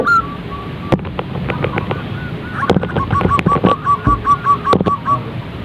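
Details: Zebra dove calls used to prompt a bird to start singing: a run of short, clipped coos near one pitch, quickening into an even stuttering series in the second half, with scattered clicks and a low hum beneath.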